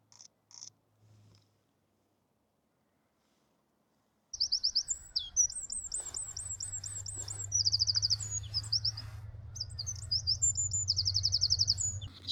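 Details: In a UK woodland in spring, one of two Eurasian wrens apparently nesting close by, having alarm-called at arm's length, gives a few brief chips, then loud, very high, rapid ringing trills, over a low steady rumble.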